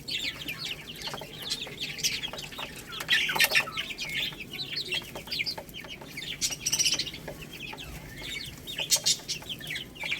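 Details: Baby chicks pecking at rice, uttering repeated short, high downward peeps, with crisp clicks and taps between the calls.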